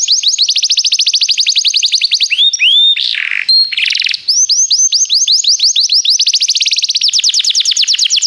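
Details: Belgian canary song used for training: long rolls of very fast repeated high chirps, a brief middle section of sweeping notes and a rough buzzy burst, then the rapid rolling trill resumes to the end.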